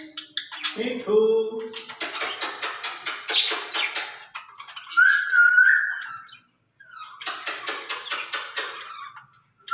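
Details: Two ring-necked parakeets in a cage, talking to each other in Urdu and Hindi: bursts of rapid rattling chatter, a brief low tone, a wavering whistled phrase mid-way, then more pulsed chattering.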